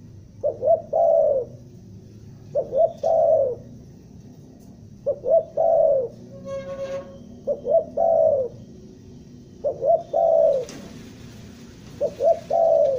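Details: Lure call of a spotted dove from Bandung, stuttering style for trapping: the stuttered coo phrase repeats about every two and a half seconds, with a brief squeaky harmonic sound and a sharp click between phrases.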